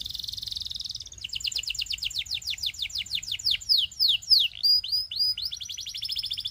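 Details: Singing canary: a high, fast, fluttering trill opens, then a long series of rapid rising-and-falling chirps. It moves into louder descending sweeps and ends in quick upslurred notes repeated several times a second.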